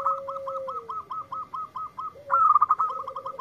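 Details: A local zebra dove keeps singing in reply to a lure recording. About a dozen evenly spaced soft coo notes run over a low held tone, then a louder, quicker burst of stuttered notes follows.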